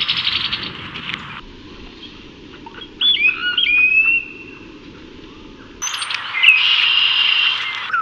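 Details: A male Brown-headed Cowbird courting a female with a display in Cook County, Illinois, in spring 2024, giving a brief burst of liquid gurgles and thin, sliding high whistles, flanked by stretches of loud rushing noise.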